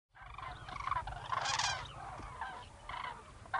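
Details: A flock of common cranes, winter visitors in Gujarat, India, gives overlapping rolling, trumpeting calls with rich harmonics, several birds at once, rising into a dense chorus mid-clip, then spaced bursts.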